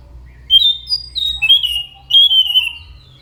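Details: Orange-headed thrush singing a quick series of whistled, slurred phrases, notes stepping and sliding downward, with a longer drawn-out warble at the end; low background hum.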